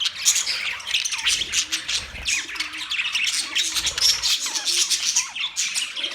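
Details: A group of caged budgies after a new cage setup: loud scratchy squawks and quick chirps pile up in a constant, excited chorus.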